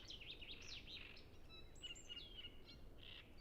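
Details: Great reed warblers, many singing at Ema-Joe Suursoo Natural Reserve on the shores of Lake Peipus, recorded with a Zoom F6 and Sennheiser MKH 8040: scratchy, chattering phrases and brief whistled notes mid-high, over a low steady rumble.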